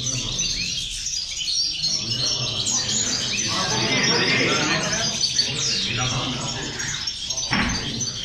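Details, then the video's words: Several European goldfinches sing together, caged, in full song: a dense, continuous, scratchy twittering of quick high trills and chirps, with sharp notes cutting through and a low background murmur underneath. "corona de caderneras a 6 remesas, jilguero pegando"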